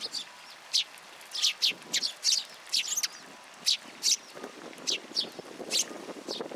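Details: Sparrows coming to a feeding platform for food at a Tenmangū shrine on 16 February 2023. A busy run of short, bright chirps follows each other at irregular intervals, with faint background hiss.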